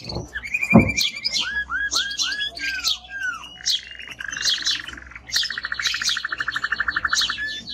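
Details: Strong-singing male timbrado canary giving a short trill, a run of downslurred whistled notes, then sharp chirps and two long rolling trills, the last pulsing steadily; a brief low thump near the start.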